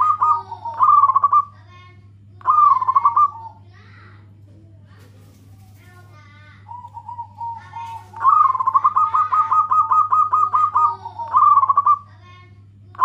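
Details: Local zebra dove, used as a lure to draw other doves, calling to companions: repeated phrases with a rolling trill, one long run of rapid even pulses, over a steady low electrical hum.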